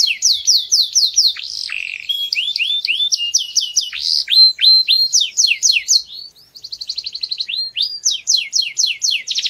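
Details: Young canaries in training hear this canary song: varied tours of crisp downslurred notes at a fast, steady pace, a short quiet gap, then a soft buzzy trill and more chirps.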